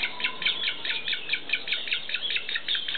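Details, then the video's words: Begging cries from a black-faced spoonbill chick during feeding at Tama Zoological Park, Japan: rapid squeaky chirps, about two per second, with a slightly uneven rhythm. "クロツラヘラサギのヒナ（餌やり）。Baby Black-faced Spoonbill(Feeding)."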